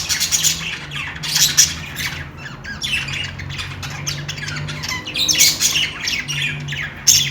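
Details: Budgies chirping and squawking: bursts of harsh, scratchy squawks and high chirps in clusters, with quieter chatter between, from more than one bird over a low steady hum.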